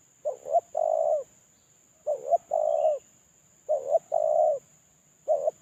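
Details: Spotted dove used as a lure bird while moulting, giving a repeated phrase: two short rising coos then a longer level coo, around 550–700, repeating about every 1.6 seconds; steady high electrical whine in background.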